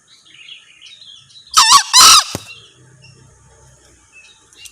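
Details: Male green junglefowl giving one short, hoarse two-part crow: a rasping first note, then a louder, harsher second burst, over quiet background chirping of small birds.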